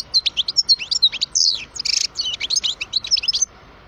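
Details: Twelve-year-old European goldfinch, a parva bird in captivity, pouring out a rapid, continuous liquid twitter of high chirps and short buzzy trills, loud and close, ending abruptly.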